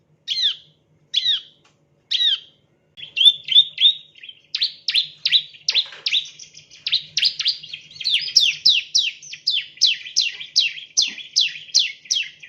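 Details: Bar-winged prinia (ciblek) chirping, used as a lure for training birds: three separate sharp downslurred chirps, then a rapid run of buzzy chirps repeated several times per second, with a faint low hum beneath.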